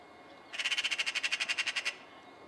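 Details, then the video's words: A magpie in Cyprus gives a harsh, rattling chatter: about seventeen rapid, dry notes in under a second and a half, against a quiet background. "Magpie calls"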